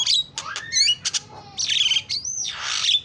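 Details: Varied starling lure song: clear rising whistles, sharp clicks, then long buzzy rasping phrases with descending and upswept whistled notes, loud and close.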